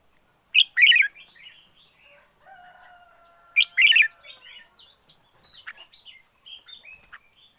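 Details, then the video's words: Decoy red-whiskered bulbul singing fiercely: two loud warbled phrases three seconds apart, followed by a run of softer, varied twitters and slurred notes. "Chim chào mào mồi hót căng lửa nhất 2021. Noog diab qhuaj zoo heev 2021"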